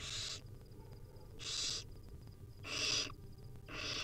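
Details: Wild barn owl nestlings at a nest being fed tiny bits by their mother, giving harsh hissing rasps, each about half a second long, repeated roughly every 1.2 seconds, with low background hum.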